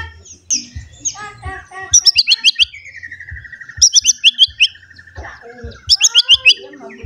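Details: White-rumped shama, worked up and seeking a rival, pouring out its varied song repertoire: bursts of sharp high chirps repeated in quick runs, a long descending trill between them, and low thumping sounds underneath.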